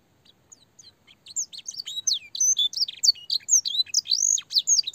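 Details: Canary training song for young canaries, a long, clear song with blackthroat and sanger fill phrases. A few faint, high notes lead into a rapid, dense twittering of high, sweeping whistles and trills.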